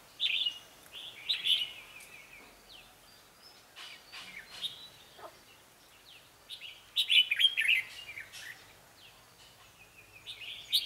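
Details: Red-whiskered bulbul in a singing contest at a trap, female near the male, male perched on a power line; bright warbled phrases in bursts near the start and again after seven seconds, with quieter chirps between.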